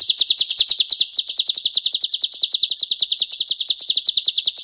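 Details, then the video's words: High, rapid chirping trill from a male golden-bellied gerygone in full song, kept as a master for teaching other birds: quick rising notes repeated without pause, strong and clear. "SUARA BURUNG CIU KUNYIT JANTAN GACOR"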